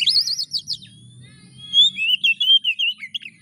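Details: Oriental magpie-robin lure song meant to make a reluctant bird sing: rolling warbled trills and wavering high whistles, a long thin rising note between phrases, with a faint low hum behind.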